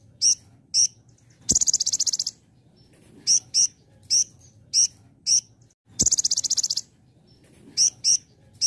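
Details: High-pitched sunbird song in the 'belalang emas' shot style. Two rapid buzzing trills of about a dozen pulses each are separated by series of short, piercing chips, often given in pairs, over a quiet background.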